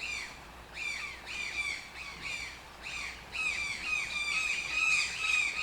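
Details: Toucan giving a run of rough, yelping croaks, each note arching and falling, spaced roughly two per second at first and then crowding into a continuous, overlapping chorus of calls.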